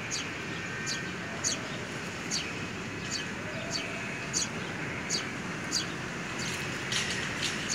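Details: Young sparrows during care and feeding by the mother, 3 May 2020: brisk high chirps repeated roughly every half second to second in a steady series, set against continuous road-traffic rumble.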